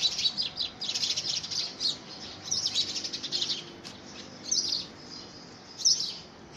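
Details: House sparrows in a February 2017 fight over a homemade nest box. Fast, crowded chirping fills the opening seconds, then thins to a few isolated sharp chirps near the end.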